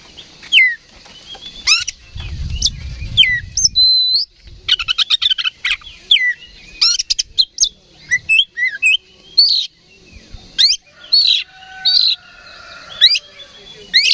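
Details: An oriental magpie-robin sings the ngeplong fighting song, provoked by a decoy recording. It is a long, varied run of whistles, rapid chip series and sharp high notes. A brief low rumble passes early on.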